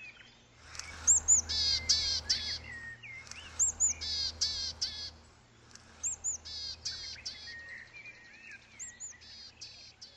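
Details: Willow tit song played back as a lure in the Dearne Valley, Yorkshire, England: bursts of high, bright chirps and slurred whistles come in groups every couple of seconds over a low rumble of wind; no willow tits respond.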